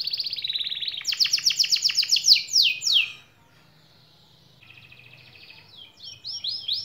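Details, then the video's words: Rolling canary song played to make quiet canaries answer and sing: high chatter leading into loud descending sweeps, a short faint pause, then renewed rapid rising notes. "KENARI Diam dan Malas Bunyi Langsung Nyaut dan Ngerol Kalau Dengar Suara KENARI GACOR satu ini"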